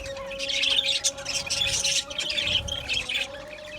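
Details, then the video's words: Budgie colony in an aviary, many birds warbling and chirping together in bursts of high chatter, over a constant low humming tone. "Budgie birds chirping sounds"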